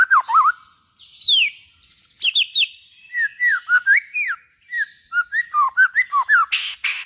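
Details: White-rumped shama song used to stimulate other shamas to sing: a varied run of loud clear whistles, sweeping down and up, with rapid chattering notes between phrases over about seven seconds.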